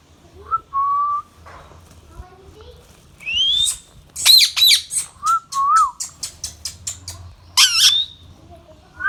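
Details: Baby rose-ringed parakeet, a pet Indian green parrot, gives short clear whistled notes, then a run of harsh, buzzy, rasping squawks in quick bursts, with another squawk near the end and a low background hum.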